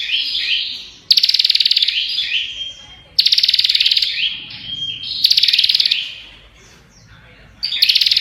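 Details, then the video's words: Prinia singing fast without stopping: brisk whistled runs and a level piping tone alternate with four loud, tightly pulsed buzzy rattles. "Burung Prenjak Ngocehh Parah Suara Rapat Gk Berhenti!!"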